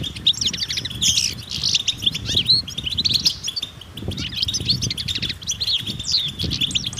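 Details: Group of European goldfinches in the wild giving mating and readiness twitters that prompt silent males to sing; rapid high tinkling notes and buzzy chirps crowd together, over a steady low background rumble.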